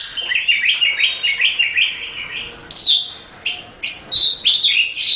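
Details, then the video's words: Oriental magpie-robin (Copsychus saularis), a contest-champion songbird in Indonesia, sings a fast run of repeated chattering notes, then loud, clear downward-sweeping whistles, varied and bright. "Suara Kicauan Burung Kacer Juara Kontes"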